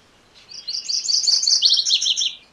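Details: MacGillivray's warbler producing one continuous two-second phrase of fast, high, chattering notes, steady in loudness and ending abruptly.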